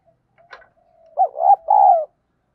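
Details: Decoy spotted dove singing in the "giọng đồng" style, used to stir wild doves into fighting and cooing quickly: a short click, a faint hum, then a strong two-part coo followed by a drawn-out mellow note.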